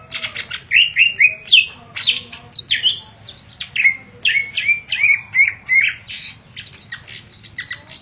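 Greater green leafbird singing a rapid, varied run of high chirps, trills and sharp slurred whistles in bursts about every half second, over a faint low hum.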